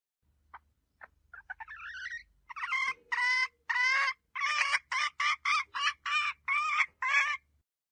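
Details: Hen calling: faint scattered notes and a quick rising chatter build into a loud series of harsh, evenly repeated clucks, almost two per second, with a low hum underneath.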